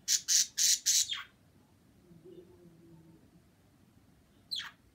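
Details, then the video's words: Birds on February 26 give four rapid, rasping squawks in quick succession at the start, followed by quiet, then one short sharp descending call near the end. "Rebecca and Maria chirping"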